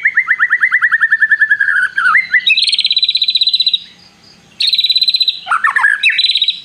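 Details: White-rumped shama in lively, frequent song, with prinia-style long trilling phrases mixed in; a fast rattling trill descends, then sharp bright buzzy trills repeat in bursts with a short pause between.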